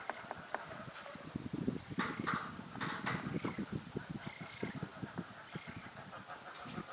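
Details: Young Eurasian spoonbill begging a parent for food, a fast run of short rasping pulses repeated several times a second with a few higher squeaky notes mixed in.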